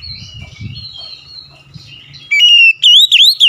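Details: After a soft, murmuring stretch with faint low rumbling, an oriental magpie-robin bursts into a loud phrase: a level whistle, then quick, clear, swooping notes.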